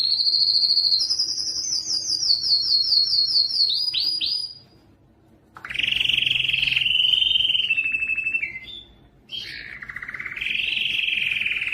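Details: Canary song offered as training material for fledglings: high steady trills with quick upward flicks, a pause, then a lower warbling roll, another gap, and a rising whistled glide.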